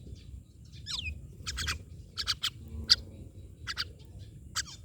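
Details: Myna notes mixing a falling whistled slur with loud, grating broadband bursts, some doubled, in a busy five-second sequence over faint low rumble.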